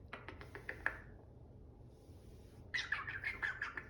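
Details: African grey parrot giving a quick run of short clicky chirps, a pause, then a denser burst of harsh, squawky chattering notes, with faint background hiss.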